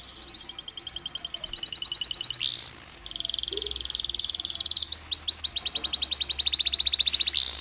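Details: Chattering canary song with pauses, meant to set off stressed canaries: varied rapid trills and rolling buzzy phrases at different pitches, broken by short gaps, closing with loud, fast, repeated falling notes.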